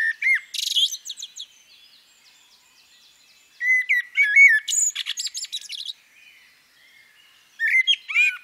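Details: Female common blackbird delivering three spaced phrases. Short low whistles run into shrill, rapid twittering and squeaks, with long pauses between the bouts.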